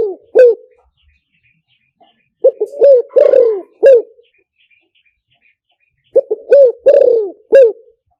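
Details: Spotted dove luring call for loudspeaker use: the tail of one phrase followed by two complete cooing phrases about three seconds apart, each of short notes, a long burry descending coo and a final rounded coo.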